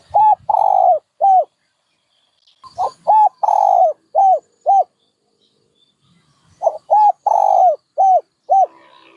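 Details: Three cooing phrases from a dove, each of soft arched hoots around one long sliding coo, spaced by quiet gaps of about a second and a half.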